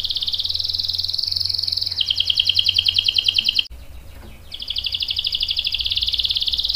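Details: Canary rolling continuously, a prolific lure song: sustained trills shifting between two pitch levels, a brief break, then the roll resumes, over light background noise.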